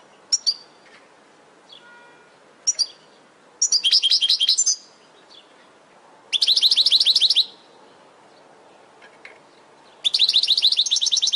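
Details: Training recording of a European goldfinch for caged birds: a few short chips, then three separate bursts of dense, buzzy, high twittering, each about a second long, spaced by quiet gaps.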